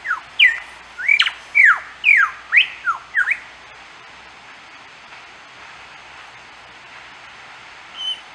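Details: Lyrebird singing on 25 April 2010 along the Fitzroy Falls walk in Morton National Park, NSW: a quick run of about eight loud, sweeping whistled notes, some rising and some falling, over three seconds, then quiet forest and one faint closing whistle.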